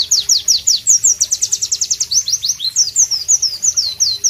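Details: White-eye (Pleci) song, loud and clear: a steady stream of high, sharp, falling whistled notes, roughly five a second, with varied slur shapes and a soft low hum behind.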